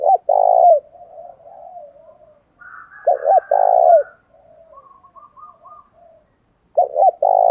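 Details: Thổ đồng style spotted dove lure call of cock and hen, meant to provoke fights: repeated low phrases of two quick coos and a drawn-out rolling coo, with gentle murmuring coos and a faint higher trilling in the gaps.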